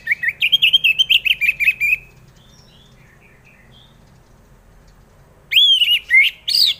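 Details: Orange-headed thrush song used as a lure to prompt other birds to sing: a fast run of warbled, slurred whistled notes for two seconds, a pause with faint chirps, then loud rising and falling whistles.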